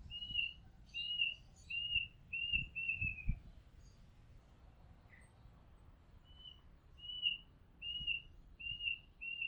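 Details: Oriental magpie-robin recorded from a house rooftop: a steady series of short clear whistles repeated roughly every two-thirds of a second, a pause, then more of the same, with faint low thumps.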